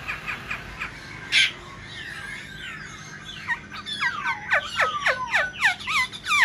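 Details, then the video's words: A caged black-throated laughingthrush, wings and tail spread in display, opens with soft notes, then delivers a loud, rapid string of sharply falling whistles growing stronger toward the end. "Khướu bạc má múa cánh xòe đuôi quá đẳng cấp"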